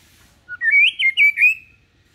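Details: White-rumped shama singing softly as a tutor so young birds learn adult song; one rich whistled phrase of about a second, a low lead-in note followed by several looping, warbled high notes.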